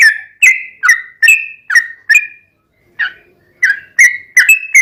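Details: Yellow-vented bulbul calling to make captive birds sing back: loud, separate liquid whistled notes roughly every half second, a gap of about half a second, then the notes resume.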